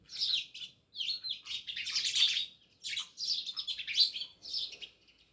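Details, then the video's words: House sparrows, many living near a village house in Jamnagar, chirp in bright, overlapping bursts, several short clusters of sharp tweets with brief pauses between them. "Natural Sound Of Sparrows | House sparrows Chirping"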